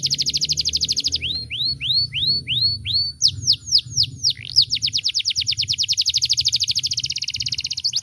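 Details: Canary in vigorous, loud, varied song: a fast high buzzing trill, then a series of slower slurred whistled notes rising and falling, a few sharp sweeps, then another long rapid trill.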